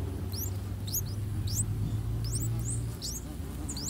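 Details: Three-day-old streak-eared bulbul chicks in a nest in a water jasmine tree beside a house, begging as both parents feed them: rapid, thin, high squeaks sweeping sharply upward, tumbling over one another several per second, over a low steady hum.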